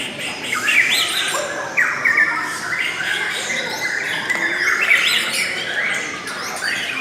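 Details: Lovebirds in a steady stream of shrill chatter: rapid chirps and sliding squeaks overlap continuously, with harsher squawk bursts at intervals.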